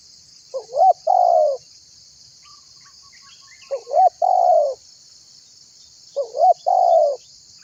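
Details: Spotted dove whose call is used to lure others and make them call. Three cooing phrases about three seconds apart, each a quick rising hooked note and then a longer level coo that falls at the end, against a steady high insect hiss.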